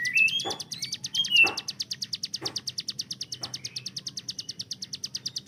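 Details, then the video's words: Hill prinia master bird used to train other songbirds' speed. It gives a long, fast 'tembakan' run of high, clipped notes, steady and machine-gun-like. Low dull knocks and a couple of rising whistles sound early on. "CIBLEK GUNUNG || Melatih Speed dan Tembak Burung Gacoan"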